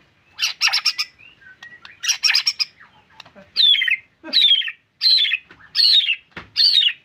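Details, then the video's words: White-rumped shama alternating grating, noisy chatter bursts with a series of loud downslurred whistled notes repeated roughly every second. "MURAI BATU GACORRR FULL DURASI MANTULLL"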